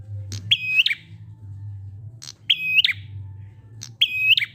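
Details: Prinia singing in the "ngalun" style, meant to make stalled prinias join in. It gives three identical phrases, each a sharp note, a held metallic whistle and a closing flick, spaced about 1.7 seconds apart. A steady low hum sits beneath.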